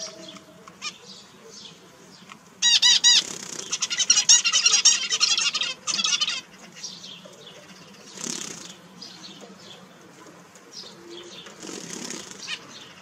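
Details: Kept zebra finch, one of four finches, sings a dense three-second burst of buzzy, nasal, stacked notes rising to high pitch, followed by scattered faint chirps and quiet background.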